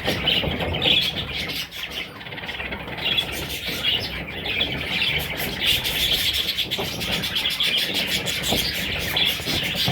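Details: Baby parrots chatter in a constant high chirping chorus, the overlapping squeaky notes forming an unbroken band, with scattered clicks and low rumble beneath.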